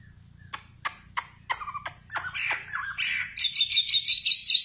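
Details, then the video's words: Nightingale song opening with six or seven sharp, evenly spaced clicking notes, then sliding into a rising, accelerating warble that ends in high, rapid trilled notes, with a faint low hum underneath. "Singing nightingale. amazing bird song"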